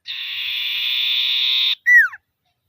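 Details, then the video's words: Common iora in full voice challenging rivals with its 'ngetir' trill, a lure for birds that have gone silent: a long, even, buzzy high trill, then one falling whistled note, clean background. "Suara Burung Sirtu/Cipoh Gacor Manggil Lawan || Sirtu Ngetir Pancingan Sirtu Macet"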